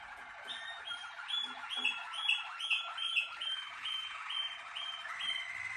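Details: Malinois Waterslager song canary, bred for its song, delivering a series of liquid, upslurred notes at a regular pace of about two per second, with a softer rolling trill beneath them.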